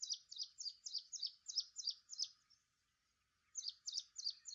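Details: Ashy prinia (Prinia socialis), call.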